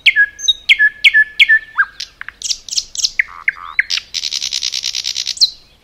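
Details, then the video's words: Common nightingale in forest, singing a lively sequence: repeated sharp notes with low tails, varied slurred chirps and descending whistles, then a sustained, rapid buzzy rattle that ends on a sharp note. "Nightingale song"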